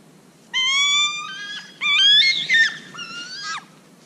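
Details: Bald eagle, one of four feeding on fish heads and bones on a street in Juneau, Alaska, in winter, giving three thin, squealing whistled notes with slight pitch breaks and a wavering middle phrase, over a quiet background.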